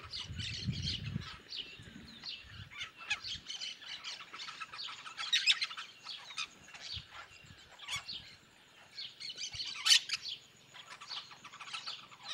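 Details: Yellow-chevroned parakeets in the sertão of Bahia, Brazil, a noisy group; harsh high screechy chirps in dense overlapping bursts throughout, with a few low thumps near the start.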